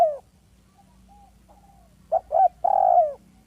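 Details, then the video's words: Single lure call phrase of a village spotted dove, smooth and clear: one faint coo, then two short mellow notes and a longer held coo that falls away at the end. "Dekukur kampung yang gacor || SUARA HALUS DAN JERNIH PEMIKAT ANDALAN"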